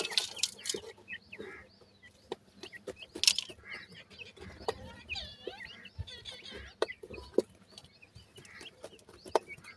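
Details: Young Sindhi teetar (francolin) chicks give clusters of high, thin peeps and chirps in uneven bursts, mixed with rustling, tapping and clattering noises across the recording.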